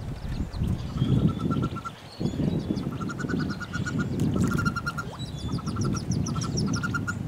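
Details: Wood duck chicks crowded in a nest box alongside a hooded merganser chick, 2013; short strings of quick peeps interrupted by heavy low scuffling and rustling sounds.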